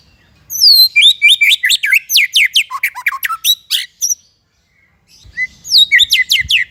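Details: Tutor recording for young and stalled white-rumped shamas: a rapid string of crisp, descending whistled notes, a little over two per second, stops for about a second of silence and then starts again with similar sweeping notes.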